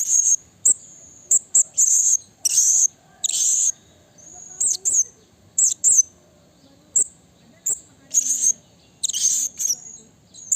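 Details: Blue-crowned hanging parrot in the wild calling a rival, giving loud, shrill, very high squeaky notes in irregular bursts and quick double chips, repeated throughout with brief pauses between.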